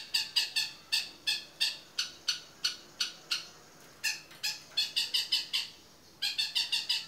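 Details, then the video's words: Long-tailed shrike giving active 'toet miyik' song as a tutor recording for other birds: irregular volleys of harsh, chattering broadband notes, several quick runs broken by brief pauses. "CENDET GACOR TOET MIYIK MASTERAN UNTUK SEMUA JENIS BURUNG"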